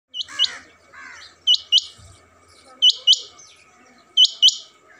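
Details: A male rain quail (Coturnix coromandelica) calling with sharp, high, metallic notes in quick pairs, each pair about every 1.3 seconds; a softer warbling bird is heard briefly at the start.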